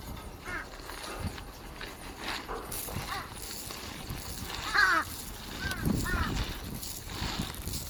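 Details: Crows fighting as soon as they began eating, 13 March 2026: a series of short, harsh, arched calls with several louder bursts around the middle, over steady outdoor background noise.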